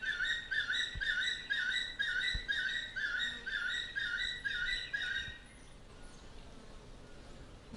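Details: Rosey, a 38-year-old male crowned eagle at Little Owl Sanctuary, Naivasha, Kenya, whose sight was restored by cataract surgery, gives his long call: a quick run of shrill, two-toned whistled notes, about two a second, for five seconds.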